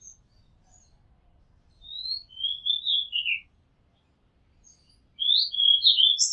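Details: An Oriental magpie-robin, recorded from a house rooftop, sings two bright phrases of rich, slurred whistles, each sliding downward, separated by a brief pause; the background is otherwise quiet.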